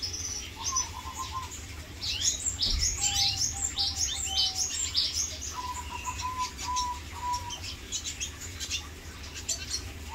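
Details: A male red siskin, one of a captive breeding pair that has started building a round nest in its food dish, sings a fast, high, twittering stream of chirps and trills, with a few lower whistled notes and a steady low hum behind.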